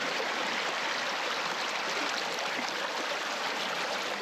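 Steady rushing stream water fills the recording in West Glacier, a continuous broadband gurgle with no animal calls standing out.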